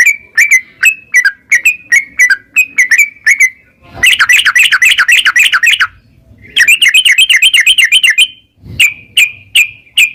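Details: Yellow-vented bulbul narung ropel song, meant to make a bird sing: evenly spaced slurred whistles, then two long, rapid buzzy trills of fast repeated notes separated by a short gap, then whistles again.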